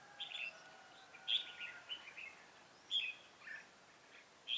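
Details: Red-whiskered bulbul heard during trapping on 7 January 2018: crisp, bouncy phrases of two or three sweet notes, given about every one to one and a half seconds over low background hiss.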